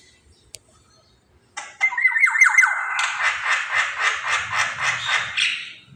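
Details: Black-naped oriole, a lively singer used as a lure for other birds, gives a sudden harsh rasping outburst followed by a long string of rhythmic, pulsing scratchy notes repeated about twice a second.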